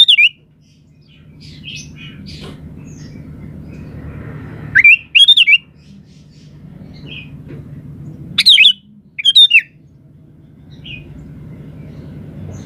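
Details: Sooty-headed bulbul in energetic, chatty song meant to make other birds respond: loud bubbling whistled phrases in pairs about four seconds apart, soft scattered chirps between, and a low humming background.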